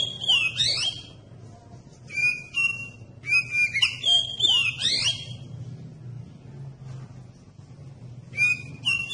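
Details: Oriental magpie-robin song meant to provoke other magpie-robins to sing: repeated short phrases of clear whistles and downward-sweeping slurs, spaced one to two seconds apart, over a steady low hum.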